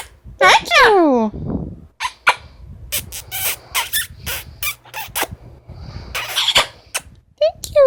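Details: Pet Amazon parrot giving a loud harmonic call that falls steeply in pitch. A rapid string of clicks, pops and short chatter follows, with a brief nasal note near the end.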